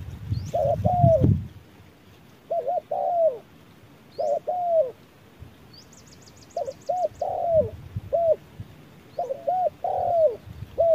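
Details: Spotted dove decoy bird challenging a wild dove under harsh midday sun: repeated short hollow coos, some in quick pairs and some drawn out and falling, in bursts across the clip, with faint high chirps from a small bird.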